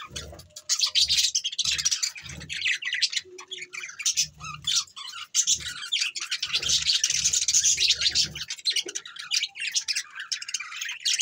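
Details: A flock of pet budgerigars in dense, nonstop high chatter of buzzy chirps and squawks, with low thumping sounds in the background.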